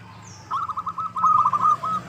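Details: Zebra dove (local perkutut) cooing in a quick, steady string of pulsed notes that swell louder midway, a lure sound to make rival birds respond.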